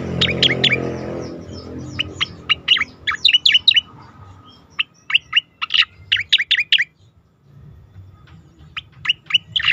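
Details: Asian pied starling singing in a training recording for contest birds: clustered, bright, chattering chirps given in uneven bursts with short pauses between phrases.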